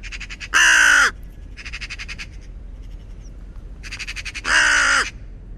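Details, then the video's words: A raven gives two loud, harsh, grating caws about four seconds apart, with fainter rasping calls between them. "Raven Sound"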